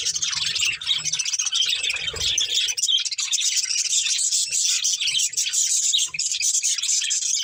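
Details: Breeding pair of budgerigars in a budgie family, giving dense, continuous high-pitched chirping and warbling chatter without pause, with scratchy twittering notes overlapping throughout and a faint low hum underneath.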